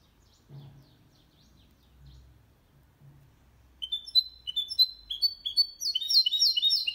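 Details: Goldfinch-canary mule giving an error-free song used to stimulate males and tutor young birds. After a few seconds of faint low rumbling, whistled notes begin and speed into a dense, fast, ringing trill.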